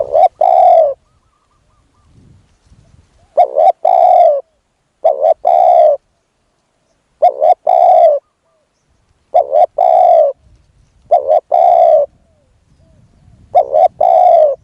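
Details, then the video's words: Spotted dove kept as a decoy while luring a wild bird: seven deep cooing phrases at uneven intervals, each a brief clipped pair of notes running into a longer, slightly falling coo. "ต่อนกเขาใหญ่ พลาดเฉลยเสียงดีครับคารมสุดยอดครับ"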